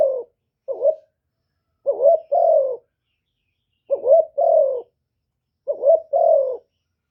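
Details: A decoy spotted dove calls to rile wild doves. It gives one-ending coos: a short broken rising note, then a sustained, slightly falling coo, repeated about every two seconds for four phrases. No other sounds.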